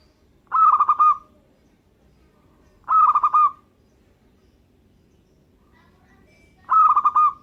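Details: Local zebra dove singing steadily: three rolling cooed phrases, each under a second long, repeated roughly every three seconds with quiet gaps between.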